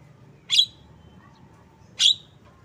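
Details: A pair of loud, raspy, slightly drawn-out chip notes from a Javan myna, about one and a half seconds apart, with a faint low hum behind.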